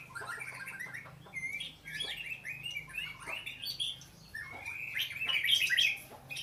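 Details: Oriental magpie-robin singing a varied run of clear whistled and warbled phrases, rising and falling, with brief pauses between bursts, the notes climbing higher and louder toward the end; low steady hum underneath.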